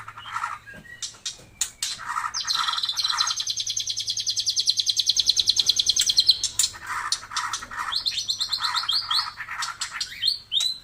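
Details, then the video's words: White-rumped shama of the Taiwan murai type producing a long, fast, high trill lasting several seconds over pulsing lower buzzy notes, then more varied chips and whistles, with a steady low hum. "burung murei taiwan super mantapppp suara josss"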